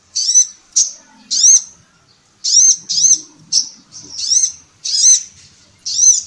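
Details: High, bright chirping from a female sunbird, the kolibri ninja, recorded to train songbirds: short upward-slurred notes repeated roughly twice a second with brief gaps, no other sounds.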